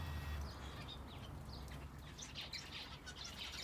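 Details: Finches in an aviary shared with a canary: short high chirps and quick tweets, sparse at first, then thicker, overlapping bursts after two seconds, over a steady low hum.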